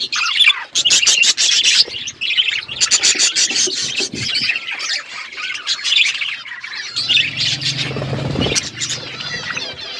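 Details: Pet budgerigars chirp on a winter morning in rapid bursts of sharp high squawks and twittering notes that run almost without pause; a low rumbling noise joins briefly near the end.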